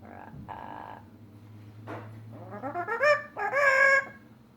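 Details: A female pet yellow-naped amazon gives rich, harmonic imitations over a low steady hum: short nasal clucks, then rising, wavering squawks that grow louder. Her repertoire includes singing "Charge", hello, bye bye, and dog, cat and chicken sounds.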